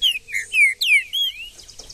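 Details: Wild green-winged saltator in the bush delivering a rapid, powerful phrase of five or six rich whistled notes, each slurring downward, ending with a brief softer rising whistle.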